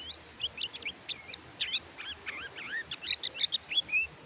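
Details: Oriental white-eye (kecial kuning), used as a master recording to prompt silent caged birds to sing; a fast jumble of high whistled slurs and twittering notes over a faint low hum.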